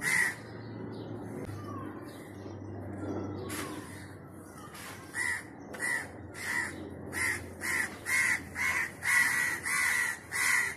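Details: Wild crow calling: a run of harsh, buzzy caws beginning around five seconds in and repeating roughly every half second to second, growing louder, after a quieter opening with a low steady hum and faint background noise.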